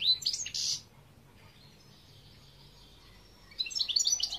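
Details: Two short bouts of European goldfinch twittering, bright jangling notes at the start and again near the end, separated by nearly three seconds of quiet.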